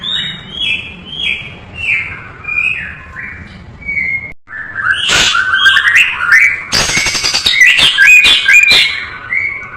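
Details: Murai batu, the white-rumped shama, singing a varied fill-in training song: a series of repeated downslurred whistles, then after a brief pause a rush of loud chirps, rising whistles and harsh buzzy rattles, all high-pitched and lively.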